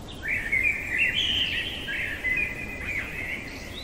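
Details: Common blackbird singing in the middle of the night: a long run of rich, low fluting warbles that rise and fall, linked into a continuous phrase with a few higher notes near the end, over a steady background hiss.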